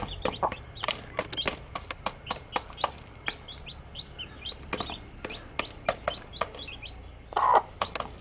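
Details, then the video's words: Several baby chickens, newly kept chicks, peep busily through the day: short high chirps, many rising or falling, scattered irregularly over sharp tapping and pecking clicks and a low steady hum. "Cute Baby Chicks with chirping sound"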